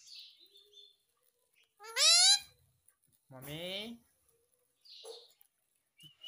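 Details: Pet Indian ringneck parakeet talking indoors, repeating the word "mummy": two loud, voice-like harmonic phrases near two and three and a half seconds, with faint short chirps and squeaks before and after in a quiet room.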